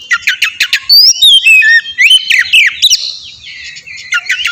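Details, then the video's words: Oriental magpie-robin lure song to draw a reply: sharp clicking chips, then loud whistled phrases that sweep up and down, ending in softer twittering. "suara pancingan burung kacer ampuh!! buat pancingan kacer bahan dijamin langsung nyaut"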